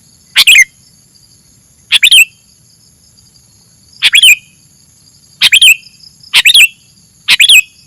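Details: Sooty-headed bulbul song used for training, short bursts of two or three quick high chirps with slurred downward notes, spaced one to two seconds apart, over a steady faint electronic hum.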